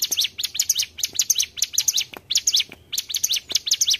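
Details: Mountain tailorbird song used as a trapping lure, a fast run of high sharp chirped notes in tight clusters, repeated in bursts about every half second with brief pauses.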